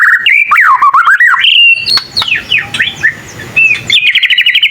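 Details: White-rumped shama, a young learner whose song reportedly prompts answers from other shamas; fast slurred whistles rising and falling, softer swooping notes midway, ending in a rapid buzzy high trill.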